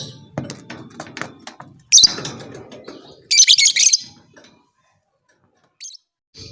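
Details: Lovebird whose voice is said to push other lovebirds to fight. Soft ticking and low rustling give way to a sharp screech, then a rapid string of piercing, rattling chirps, followed by quiet.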